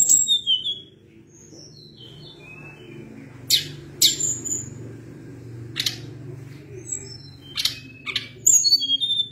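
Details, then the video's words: Sunda blue robin singing long phrases of thin descending whistles broken by loud sharp click-like bursts every couple of seconds, over a soft low hum. "Ocehan Tledekan Gunung gacor Ngeri Bikin Tledekan Apapun ikut Gacor Ngerol Panjang"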